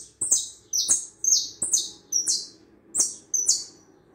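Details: Uruguayan hooded siskin giving high, squeaky buzzy notes in short separate phrases about every half second, with crisp ticking clicks underneath.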